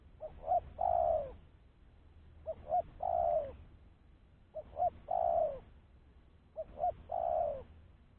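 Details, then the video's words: Spotted dove lure calling: four phrases about every two seconds, each two quick clipped notes followed by a long warbling coo that falls away, over a low hum. "Suara Burung Tekukur-Pancingan Suara Tekukur Bersih"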